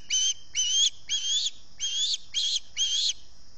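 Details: Osprey begging from early-morning hunger at a Salt Point nest, picked up by a nest camera microphone just after 6 a.m. on 11 August 2020: six shrill, slightly rising whistled squeals, roughly two per second, over a faint steady hum.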